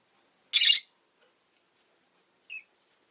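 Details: Rosy-faced lovebirds, two pet birds huddled together at an entrance, give one loud harsh screechy chirp followed after two seconds by a brief faint upslurred note; otherwise quiet.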